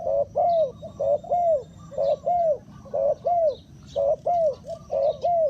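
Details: Luring spotted dove used to attract wild birds, giving rhythmic double coos, a short note then a longer arched one, about once a second, over faint distant chirps and low background noise.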